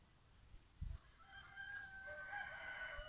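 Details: Green peafowl (Pavo muticus muticus) at a peacock farm gives one loud, drawn-out, nasal call lasting about two seconds, preceded by a dull thump.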